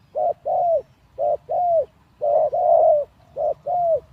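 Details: Captive spotted dove decoy, three days out of a breeding cage: four clear coo phrases, each a short hoot followed by a longer, drawn-out, slightly falling coo, repeated at a steady pace.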